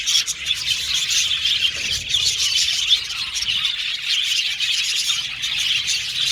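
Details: Chirping budgerigars produce a continuous high, fizzy chatter of overlapping tweets and squeaks from several birds, with occasional louder chirps standing out.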